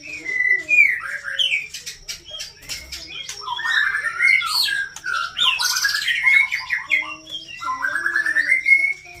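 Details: White-rumped shama song, a rich varied stream of clear whistles, rising and falling slurs and rapid chattering notes, with harsh squawky bursts midway. A steady faint high whine runs through the background.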